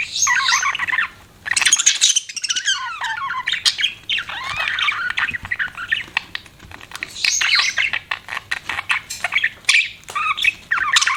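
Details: Budgies kept as pets chatter continuously, a mix of rapid rasping notes, sweeping whistled slurs and sharp squawks, with a brief lull at the start and steady busy warbling after.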